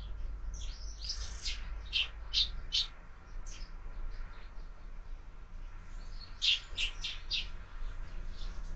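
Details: Morning sparrows at a feeder fixed to a window, uttering bright clipped chirps in two clusters of several notes separated by a quieter pause, against faint low background hum.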